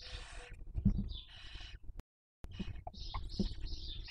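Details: Barn owl nest in Cabañeros National Park, Castilla-La Mancha, Spain, 2023 breeding season, raising young; a breathy hiss and a short screech, then a run of high squeaky notes over clattering, rustling nest noises.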